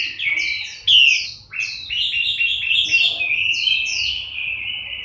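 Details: October 2015 song from a moulting Chinese hwamei, bright whistles, quick stuttered downslurs, then a long sustained warbling whistle holding steady to the end.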